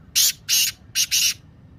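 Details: Black francolin, a kept bird's calling voice played to stir silent or lazy captive francolins into calling: four harsh, rasping, broadband bursts in under two seconds, with two spaced bursts followed by a quick double burst.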